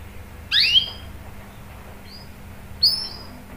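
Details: Canary calling as a lure for other canaries: one bright two-part swept chirp, a short high whistle, then a thinner high chirp near the end.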